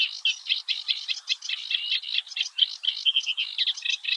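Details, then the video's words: Eurasian reed warbler singing early one morning in the Oostvaardersplassen, the Netherlands: a continuous chattering run of harsh, scratchy notes in short repeated groups, with a few clearer whistled accents; no other sounds. "Singing Eurasian Reed-Warbler"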